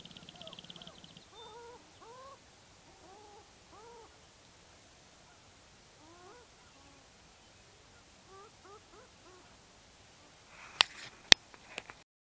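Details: Sharp-tailed grouse in Baudette, Minnesota: soft, hollow rising-and-falling hoots repeated in short bursts, heard faintly at a distance, with a brief buzzing rattle at the start and a few loud clicks near the end.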